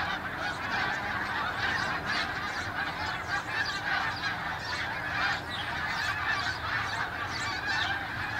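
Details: Garden warbler singing from deep within a hedgerow, recorded on a Sound Devices MixPre 6 II with a Telinga parabola; a quiet, rapid run of warbled, chattering notes builds into a louder, fuller burst near the end of the phrase.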